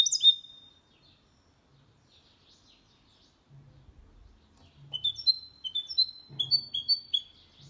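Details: Goldfinch × canary hybrid, singing clean song to stimulate males and train young birds; a short high call, a pause with soft low bumps, then spaced, rising whistled notes repeated at a moderate pace.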